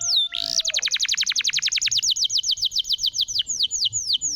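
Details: Canary song meant to prompt canaries that have gone quiet: a rising slur into a long, fast trill of repeated descending notes that slows toward the end into separate falling whistles.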